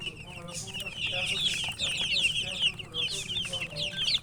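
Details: Loud, busy chirping from chickens, countless high piping notes packed together, some rising and some falling, above a quiet low hum.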